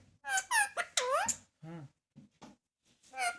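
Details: ['Talking Indian ringneck parakeet gives bursts of bright, squeaky, warbling speech-like syllables, with a lower human-like voice briefly between them in a small indoor space.']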